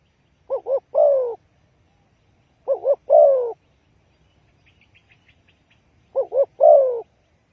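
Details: Spotted dove lure call used for trapping: three phrases, each two short rounded coos then a longer, falling, throaty croo, spaced about three seconds apart, with faint high chirps from another bird in a quiet gap.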